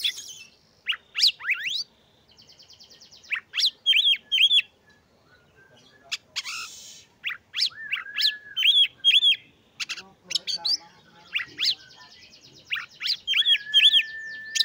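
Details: Oriental magpie-robin, a kept songbird, singing to provoke other magpie-robins and stir their breeding urge: varied loud whistled phrases, rapid upswept notes, repeated wavering double whistles and long flat sustained tones, with brief pauses between bursts.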